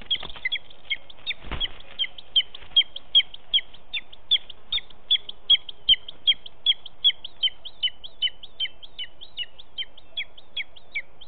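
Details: A fledgling booted eagle in the Ports, learning to fly and still dependent on its parents, begs near the nest at 9:18 on 23 July 2019 as the male brings a mistle thrush. It gives a long series of shrill, high, down-slurred notes, two or three a second, with a brief thump near the start.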